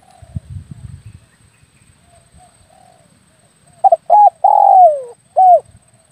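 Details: Spotted dove lure call for air-rifle hunting: low rumbling noise at first, a faint earlier coo, then a loud phrase of clipped paired notes, a long falling coo and a closing short coo.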